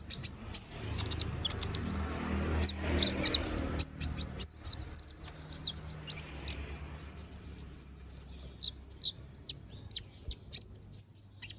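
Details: Konin (brown-throated sunbird) in full energetic song with sharp 'tembakan' shots, recorded as a training master for other birds: rapid, very high, clipped chirps and thin slurred notes in quick irregular runs, low background hum.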